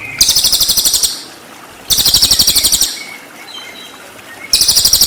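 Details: Full 'tembakan' from a cililin, a master recording for white-rumped shama: three bursts of fast, high, rattling buzzy trill roughly a second long each, separated by pauses with soft faint whistles.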